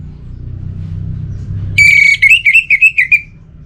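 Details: An orange-headed thrush kept as a cage bird begins with a clear sustained whistle, then runs into a quick series of rolling, wavering notes over faint low background rumble.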